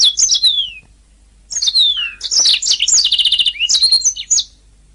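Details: Canary song meant for training singing birds: high descending whistled slurs, then loud, dense twittering with a fast rattling trill and sliding notes.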